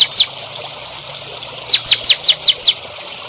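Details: Songbird played as training song for young birds: a short sharp note, a pause, then a run of six quick descending whistled notes repeated at an even pace.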